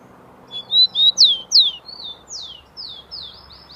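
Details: Captive Rufous-collared sparrow from São Paulo, Brazil, recorded 27 September 2015 while singing persistently: loud pure whistles rising then sliding sharply down, followed by a run of softer descending slurred notes, with low room noise behind.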